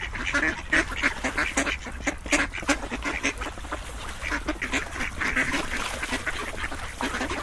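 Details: A crowded group of ducks keeps up steady, harsh quacking, short calls repeated densely and overlapping across the whole stretch.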